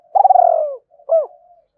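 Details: Spotted dove call meant to stimulate other doves: one long pulsed coo sliding downward, followed by a single short arched note.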